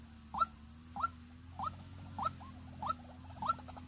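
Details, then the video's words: White-breasted waterhen kept as a decoy bird for luring, Vĩnh Long. Six short rising notes, each sweeping sharply upward to a bright peak, repeated about every 0.6 seconds. A steady low hum sits underneath. "Đam Mê Quốc Mồi Vĩnh Long"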